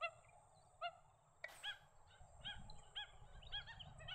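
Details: Australasian shoveler calling: a few short, nasal, harmonic-rich notes, spaced about a second apart at first, then quicker softer notes, over low background rumble and a brief thump.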